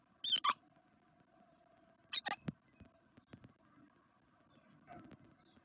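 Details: At a garden nest in Veszprém, Hungary, black redstarts give short bursts of shrill, high squeaks in pairs and triplets, mixed with dull knocks and thumps from movement at the nest, then a quieter scratchy rustle near the end.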